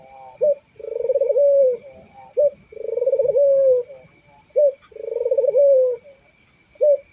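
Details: Barbary dove repeating its two-part coo three times, a quick low note followed by a long, vibrating purr that settles into a smooth falling tone, over a continuous high whine.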